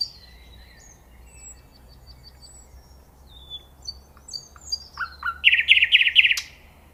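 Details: Nightingale in song: soft thin high whistles and short repeated piping notes build to a rising series of upslurred calls and a loud rapid rattling trill near the end.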